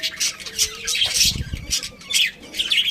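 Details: Budgerigars of a breeding pair and family giving short harsh squawks and high chirps in quick succession, with a soft low thud in the middle.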